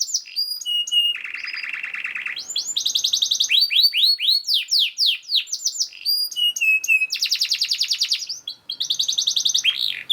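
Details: Fast, densely packed canary song used as a training master for other canaries, switching from a buzzy low trill to bright rapid rattles, runs of falling whistled slurs and further high trills with hardly any pause.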